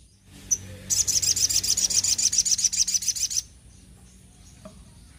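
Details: Little spiderhunter in energetic song: one sharp high chip, then a rapid, steady train of about twenty-five shrill, high notes lasting roughly two and a half seconds before stopping abruptly.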